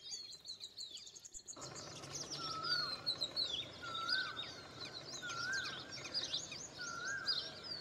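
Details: Indian pied myna among chattering birds: a quiet opening, then high rolling chirps and repeated down-slurred whistles spaced about a second and a half apart.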